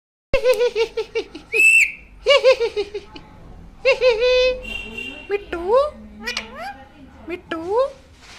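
A parrot chatters in short, wavering speech-like phrases, with a bright whistle and several rising, squeaky sweeps between the words.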